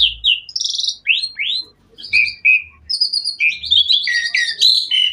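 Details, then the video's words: Asian pied myna in vigorous song with a varied repertoire, meant to draw other mynas into singing: rising and falling whistled slurs, buzzy trills, then a fast jumble of chattering notes, over faint low knocks. "Kicau Jalak Suren Gacor FULL ISIAN MEWAH Jadikan Jalak Suren Lain Ikut Gacor"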